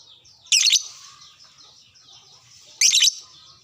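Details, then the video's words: Fighter lovebird replying to a luring lovebird with two short, piercing, rasping screeches a little over two seconds apart, separated by quiet, thin twittering. "sekali pancing langsung nyaut burung LOVEBRID Lain"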